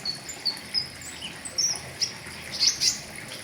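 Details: Flowerpecker recording meant for tutoring caged birds: a scattered series of very high, sharp, brief ticking notes over steady background hiss, coming more closely together toward the end.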